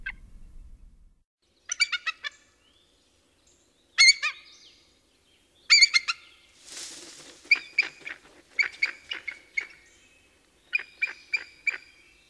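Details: Bald eagle giving high, thin, squeaky chattering calls: quick stuttering runs of piping notes in separate bursts every two seconds or so, with a brief breathy hiss midway and a faint low rumble at the start.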